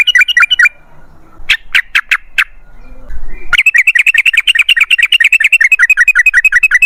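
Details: Trucukan, the yellow-vented bulbul, singing 'ropel' style: a short bubbly burst, then four spaced sharp notes, then a long, fast, rolling run of liquid chirps lasting over three seconds.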